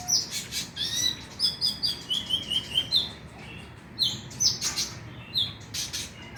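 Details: Konin, the Oriental magpie-robin, heard on a lure track for stimulating night singing: bright high chirps and quick descending whistled notes in steady bursts, with short scratchy trills between.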